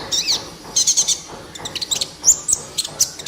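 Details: Van Hasselt's sunbird singing gacor, used as a master recording to coax lazy captive birds: very high, short squeaky notes and thin chirps in quick clusters, with faint background hiss.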